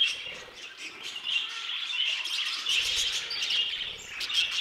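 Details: Budgerigars in an aviary, a dense flock chatter of warbling, chirping notes packed high in pitch, many birds calling over one another without pause.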